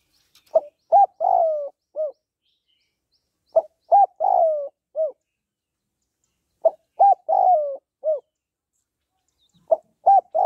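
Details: Female spotted dove calling to excite a male, in gọi, thúc and gù cooing styles: four low mellow phrases about three seconds apart, each a short coo, a rounded note, a long drawn-out falling croo and a final soft coo, with a silent background.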